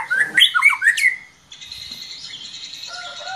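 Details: Worked-up White-rumped Shama, provoked by a lure recording, bursts into its full repertoire: a quick run of loud, varied slurred whistles rising and falling, then a pause and thin, sustained high tones.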